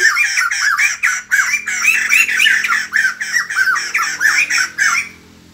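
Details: Laughingthrush with a white crest greeting the morning in song, a loud run of harsh, squawky notes pulsing about three times a second, each slurring downward, stopping abruptly before the end.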